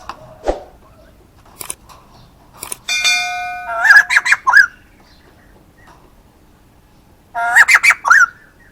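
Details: Male white-crested laughingthrush calling: a few scattered notes, then two loud bursts of harmonic, rising and falling notes, each about a second long, separated by quiet gaps. A ringing bell-like tone is also heard.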